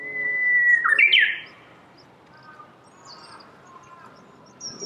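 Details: Japanese bush warbler in spring among cherry trees in Saitama, Japan, recorded March 2019: a long level whistle, then a sudden rising flourish, with softer warbled notes and high chirps afterwards.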